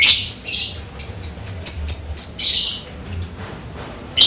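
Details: Lovebird singing after rain: a harsh chatter opens, then a fast even series of about eight sharp high ticks in the 'ngetik' style, more scratchy chatter, a pause, and a final shrill burst.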